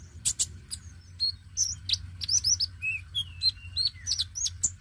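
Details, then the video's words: Dacok-type oriental magpie-robin in energetic song, meant to prompt newly caught birds to sing. Dense, varied phrases of sharp chips, hooked whistles and long falling glides delivered almost without pause over a low hum. "KONIN DACOK GACOR PENARIK BUNYI KONIN BAKALAN"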